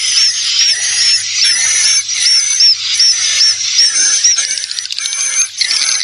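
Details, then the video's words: Swiftlet lure call made to attract swiftlets: dense high twittering with rapid, repeated hooked chirps, roughly two to three per second, over a steady high whine and a faint low hum. "Call Swallow Birds"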